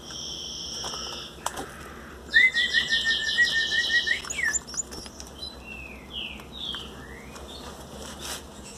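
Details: Belgian canary chicks, 18 days old, being hand-fed baby food into their beaks; high buzzy pulsed begging calls around 3–5k, with short rising chirps and clicks of handling and wing flutter.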